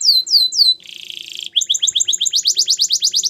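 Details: Canary song used to train canaries to sing: three swooping whistles, a low buzzy trill, then an accelerating run of sharp repeated chips.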